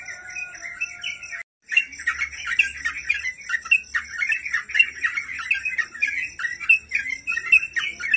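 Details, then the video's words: Sooty-headed bulbul in full song for tutoring other birds: a dense, bubbly stream of quick chirps and warbled notes, briefly breaking once, over a faint steady high hiss. "Masteran burung crucukan gacor terbaik"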